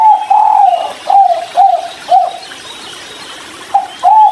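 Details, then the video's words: Spotted dove drinking near a river, calling kuk 3 style: four rounded, gently arching coos in a steady run, a brief silence, then two further coos. "suara tekukur kuk3 sedang minum"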